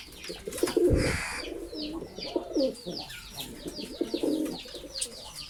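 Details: Several pigeons in a pigeon-keeping setting give low, bubbling coos in short repeated phrases, broken by a sharp thud early on, while small birds chirp busily at a higher pitch.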